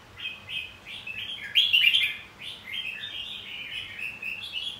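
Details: Red-whiskered bulbul singing a fighting song meant to provoke rival birds into song: a nearly continuous chain of quick, liquid whistled notes, peaking in a louder rich phrase midway through.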